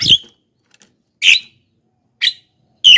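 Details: Javan myna lure calls meant to draw wild birds: four short, rasping squawks about a second apart, each a burst of noisy high sound.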